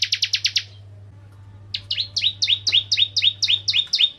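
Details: Bar-winged prinia (Prinia familiaris) lure song: a quick burst of high chirps, a short silence, then a run of slurred rising notes repeated about four times a second over a low electrical hum.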